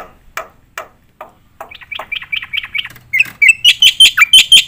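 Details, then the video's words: Song of a black-winged myna meant as training material for contest birds: a few spaced low chips build into fast, bright, repeated squeaky notes that grow louder toward the end. "jalak putih gacor full nembak isian"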